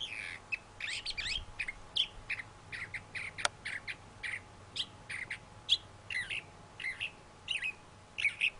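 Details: A thrasher pours out varied phrases, mixing harsh chirps, slurred notes and clear whistled accents, with a single sharp click midway.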